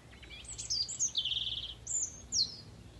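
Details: A European robin sings from just behind the observer: a sad, high, squeaky song of sweet whistles and a few soft liquid trills in short bursts over a faint background hush.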